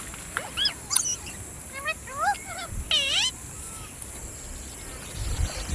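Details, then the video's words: Parrot voice: a few separate upward-curving whistled notes, a quick series of short slurred chirps, then a bright looping whistle, with quiet gaps between bursts. "Parrot Sound Videos | Parrot Sounds | Parrot Video | Talking Videos Compilation"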